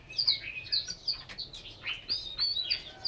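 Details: Chinese hwamei, a cage bird in Hanoi, Vietnam, singing a rich, continuous run of loud whistled and slurred phrases, with rapid trills and quick up-and-down notes in close succession and no real pauses; faint background hiss.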